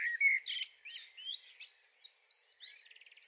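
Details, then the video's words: Young Eurasian blackbird (Turdus merula) in a garden, 23 May 2013, singing a quick tumbling series of thin whistles and squeaky notes that ends in a short buzzy trill. "Tweede jonge merel - Blackbird - Turdus merula - in de tuin"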